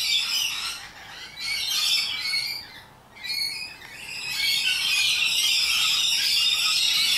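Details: Rainbow lorikeets, noisy nectar-feeding parrots, give bursts of piercing screeches separated by short quieter gaps, then build into a sustained loud chorus of rasping calls.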